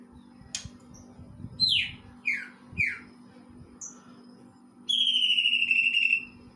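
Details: Greater green leafbird singing material imitating a kingfisher: a few sharp, steeply falling whistled notes in quick succession, then a long, loud, steady whistle with a slight downward slur near the end, over a low constant hum.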